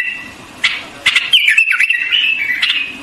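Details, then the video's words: White-eared bulbul singing: a short, liquid warbled phrase of rising and falling whistles in the middle, between spaced sharp clicks and brief chirps. "White-Eared Bulbul Song"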